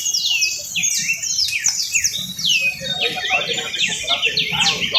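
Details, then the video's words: Canary trill: dense, high song made of quick descending slurred notes and rapid rolling bursts, continuing without pause. "trino de canario"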